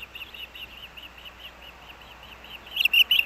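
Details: Osprey at the Hellgate Canyon nest, Missoula, Montana, as the male brings breakfast fish, 3 August 2024, nest cam: faint evenly spaced whistled notes, ending in three loud, harsh chirps.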